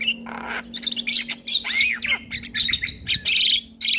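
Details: Male Javan myna delivering a packed, mixed song for young mynas: rasping squawks, slurred downward whistles and a steady high whistled note, almost continuous, over a faint low hum.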